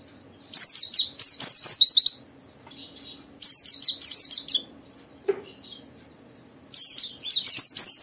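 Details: White-eye song used to trigger other white-eyes to open their beaks and sing: three dense runs of high, tumbling, descending chirps, each about a second long, with brief silences between and a faint low hum.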